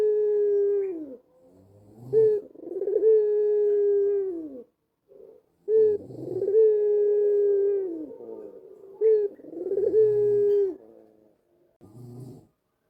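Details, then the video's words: White dove with a black collar giving its melodious coo, played so that home doves answer: repeated long, level, low moaning notes that each fall at the end, about every three to four seconds, with short rough notes between. "SUARA BURUNG PUTER PUTIH KALUNG HITAM YANG BIKIN PUTER DIRUMAH IKUT BUNYI"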